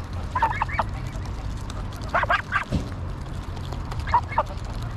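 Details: Flock of greylag geese calling in Pearson Park, Hull, England, on 22 August 2021, filmed with a GoPro Hero9. Three groups of rough, nasal honks, each a quick cluster of two or three calls, over low rumbling noise.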